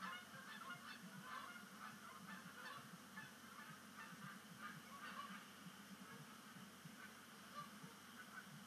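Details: Canada goose flock at Sapsucker Woods Pond at sunset on 10 5 2019, first splashdown as migration begins; moderately distant chorus of honks, denser early then thinning, over a constant low rumble.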